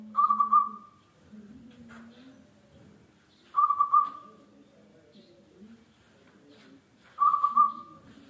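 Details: Local zebra dove singing steadily, used as a lure to draw song from other birds: three rolling, trilled coos that each trail into a smooth level tone, repeated roughly every three and a half seconds, with a faint low hum.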